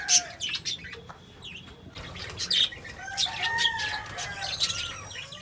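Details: Lovebirds twittering with quick high chirps and short whistled slurs, the chatter thickening into a steady stream in the second half, over a faint low hum.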